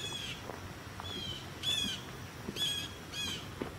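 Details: One of at least two or three Blue Jays calling at Sapsucker Woods in August gives four or five harsh, squawking jeers, each under half a second, about one second apart, over a low background rumble.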